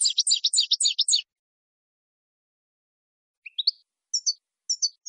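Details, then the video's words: Saffron finch training song: an opening volley of dense, buzzy high notes, a long pause, then a rising three-note chirp and two short twittered phrases. "NUEVO CD JILGUERO CAMPERO PARA EDUCAR"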